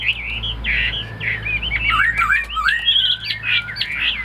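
A Chinese hwamei pours out a loud, rich song of fast, varied whistled phrases, sliding up and down without pause, over a faint low hum.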